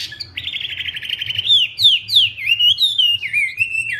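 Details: Wambi bird singing vigorously: a long, even buzzy note held for over a second, then a series of falling slurred whistles, each sweeping down, in quick succession; faint low hum in the background.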